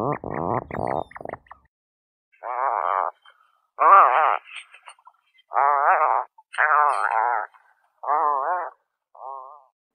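Puffin giving deep, groaning moans, about six drawn-out wavering calls roughly once a second, preceded by a burst of low rattling grunts.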